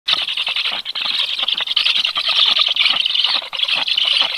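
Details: Black stork chicks in the nest on 13 July at 12:34, chirping by reflex and preparing to feed as an unknown stork moves nearby; a dense, continuous high chatter of rapid squeaky chirps with no pauses.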